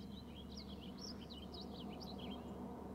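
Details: Male eagle calling from a close-up camera perch at a nest with eaglets, the female having just entered, before flying off; a rapid series of thin, high chittering notes rising and falling, faint over a steady low hum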